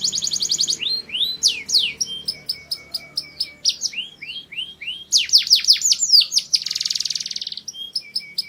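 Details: Singing canary for mating: varied phrases of clipped chips, upswept whistles, loud descending sweeps and a short buzzing rattle, delivered in quick succession.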